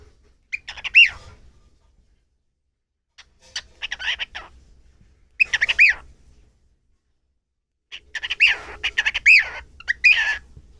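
A cockatiel gives bursts of squeaky, chattering notes with bright whistled inflections, separated by short pauses.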